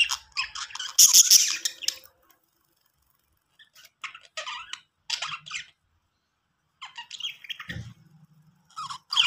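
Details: Happy, playing budgies chirp and squawk in scattered short bursts with pauses between them, the calls high and scratchy, one brief low thump near the end.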